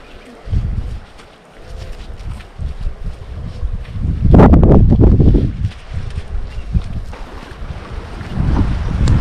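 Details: Strong wind buffeting the microphone with low rumbling boat and water noise, a louder gust-driven surge near the middle, and no animal sound.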